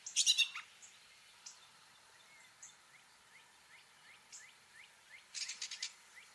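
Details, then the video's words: Gray catbird singing and mimicking other birds: dense, buzzy high bursts open and close the phrase, with a run of faint, quick rising whistled notes repeated about three times a second in between, against a quiet background. "Catbird sounds: mimicking & singing song"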